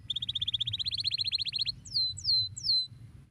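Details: Canary stimulating song to set other canaries singing: a rapid rhythmic trill, slightly rising and accelerating, followed by three clear descending whistles, over a faint low hum.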